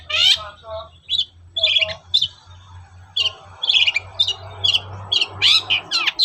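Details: Morning song of a long-tailed shrike, a lure to make other shrikes sing: loud squeaky and harsh phrases spaced irregularly over a steady background hiss and low hum.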